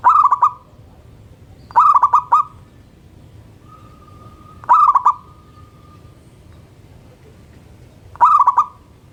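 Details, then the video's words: Local zebra dove in morning song: four pulsed coo phrases at uneven intervals of two to three seconds, each a rolling burst of quick notes, with a faint sustained tone in a gap. "Perkutut Lokal Gacor Manggung dipagi Hari bikin yang lain ikutan BUNYI"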